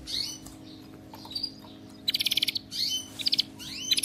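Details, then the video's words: Canary song for training other canaries to sing: short bright phrases of high upward whistled sweeps and rapid pulsed trills, broken by brief pauses, over a faint steady low hum. "صوت كناري مذهل لتدريب وجعل طائرك الكناري يغرد بلا توقف canary singing training bird"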